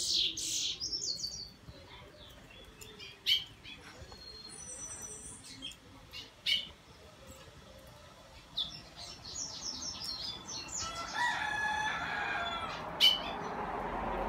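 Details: Bullfinch singing a morning tryout: scattered high chirps and short whistled notes in uneven bursts, with quieter pauses between phrases and a soft rushing background rising toward the end.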